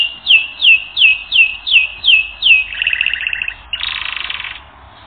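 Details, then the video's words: On a canary training recording, six clear downslurred whistled notes repeat at an even pace, then give way to a quick rattling roll and a harsh buzzy trill. "Canary Training Record N°10"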